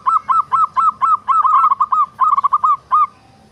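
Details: Zebra dove, a local perkutut, singing sweetly: a rapid series of short, clipped, bell-like coos repeated about four per second in bursts, then a pause.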